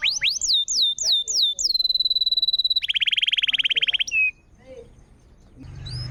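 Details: Canary song used to stimulate a canary that has gone quiet. Rising-falling whistles are followed by a sustained high tone and a dense buzzy trill, then near silence with faint background noise.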